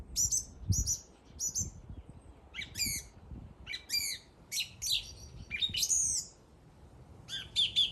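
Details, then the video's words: A bird sings a busy series of short, high chirps and buzzy squeaks, some repeated in pairs, broken by brief pauses. "The bird is singing."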